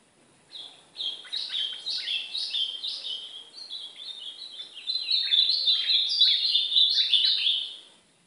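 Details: Brown-plumaged (pardo) ultramarine grosbeak singing during a training session: a rich, warbled song of quick, slurred whistles, phrases rising and falling, then running into a fuller, brighter burst near the end.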